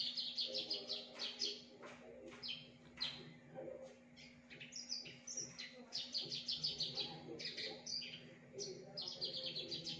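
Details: Javan bush lark, caged, in a varied mimicking song: dense bursts of fast high chirps and buzzy chatter, with short pauses, over a background hum and faint lower noises.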